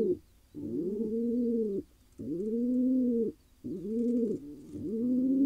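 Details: A wild male pigeon in Israel, freshly paired, delivers four long, level, throaty coos, each over a second long and separated by clear silent gaps.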